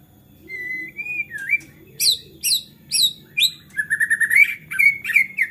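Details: Excited white-rumped shama whose fierce singing draws other shamas into song: a long level whistle slurring downward, then a row of sharp descending high chips about twice a second, ending in quick trilled whistles; soft low rumble behind.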